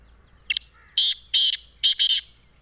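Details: Black francolin in Sindh, Pakistan, giving a loud, harsh, rasping call: a short grating note followed by two paired buzzy bursts, the phrase spanning under two seconds against a quiet background.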